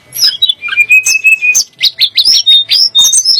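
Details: Sunda blue robin (tledek gunung) singing to provoke rival songbirds such as shamas: a short held whistle followed by quick rising and falling chirps in rapid succession.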